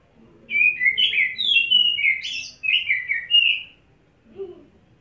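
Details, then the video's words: White-rumped shama, kept in a cage, bathed before singing, delivers a rapid run of bright, slurred whistled notes, rising and falling, with a couple of sharper high notes mid-phrase and a faint low sound after. "Kacer Satu Titik Tahan Ngobra Muntah Isian"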